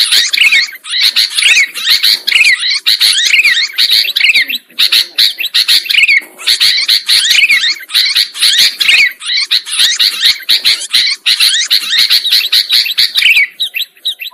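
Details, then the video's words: Sooty-headed bulbul lure recording for trapping birds: dense, continuous harsh chattering with rapid zigzag notes in bursts, several voices overlapping, with short gaps every few seconds. "Suara Pikat Burung Kutilang Ampuh"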